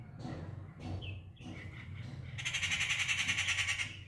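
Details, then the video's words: A treepie calling its partner for breakfast: a few harsh, scratchy squawks, then a fast, grating, metallic rattle lasting about a second and a half, over a steady low background rumble. "The Treepie calling it's partner for the breakfast."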